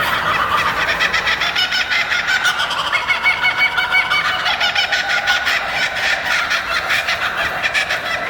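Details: Laughing kookaburra (Dacelo novaeguineae), laughing call.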